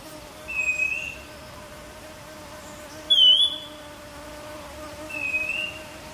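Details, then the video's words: Whistled song of a streaked wren-babbler, recorded June 2023 at Fraser's Hill in Pahang, Malaysia: three brief pure notes roughly two seconds apart, the middle one louder and higher-pitched, with a faint continuous drone behind. "Streaked Wren Babbler call song sound"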